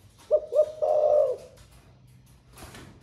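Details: Caged spotted dove, newly started to coo, which sings all day in the 'thổ pha' song style: one low cooing phrase of two short hooting notes, then a longer burred, throbbing coo, followed by quiet with faint background noise.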